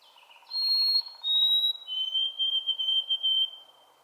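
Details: White-throated Sparrow singing the newer shorter song version that emerged in the early 21st century, ending with two repeated syllables: clear pure whistles, a short higher note, then a long steady whistle broken into repeated pulses, over faint low hum.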